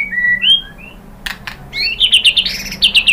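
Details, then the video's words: White-rumped shama singing to spur other birds to sing, opening with drawn-out whistled notes, then two sharp clicks, then a rapid run of bright repeated warbled notes. "KICAUAN MURAI BATU merangsang BUNYI jadi NYAUT GACOR NGEPLONG BONGKAR ISIAN ¦ PANCINGAN MURAI"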